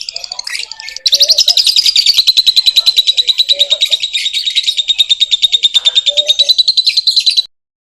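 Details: Lovebird singing vigorously: after a few scattered chirps, a long unbroken stream of fast, high, buzzy chattering notes, slightly falling in pitch, runs for about six seconds and then stops abruptly.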